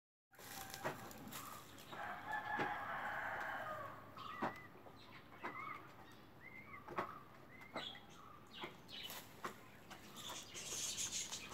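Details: Newly hatched emu chick, zero days old, giving short, thin whistled peeps, some slightly rising then falling, scattered among rustling and handling noises.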